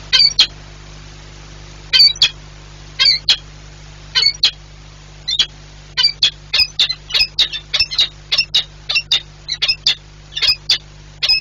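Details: Peregrine falcon pair at a nest site in Płock, Poland, on 4 April 2022, swapping places at the nest many times. Harsh, grating high notes come singly, then in quickening bursts of doubled calls, over a low steady hum.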